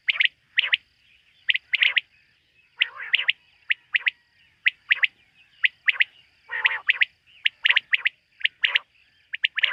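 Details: Quail at night, recorded in connection with quail hunting: a busy run of sharp whistled notes, often in doublets and triplets, with occasional harsh buzzy calls and a faint steady hum-like tone.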